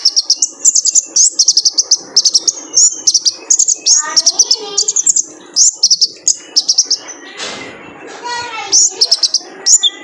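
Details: Male kolibri ninja sunbird, training recording for caged birds: rapid, evenly repeated high metallic chips in long runs, briefly broken by lower rattling chatter near the end.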